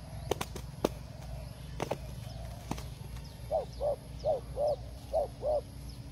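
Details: Several sharp knocks and clicks first, then a forest dove at a trap gives six evenly spaced, soft, hooting coos in a quick run near the end.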